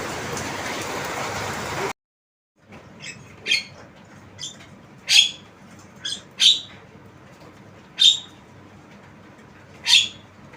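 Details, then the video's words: After two seconds of broad noise and a brief silence, a tame Javan myna gives about eight spaced, rasping squawks, roughly one each second, some louder than others. "Jalak kebo Suara Unik"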